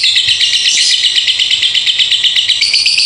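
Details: Lovebird in a long 'ngekek konslet' chatter lasting over two minutes: a dense, shrill, rapid-fire rattle of buzzy notes, pulsing about three times a second without pause and rising slightly in pitch near the end.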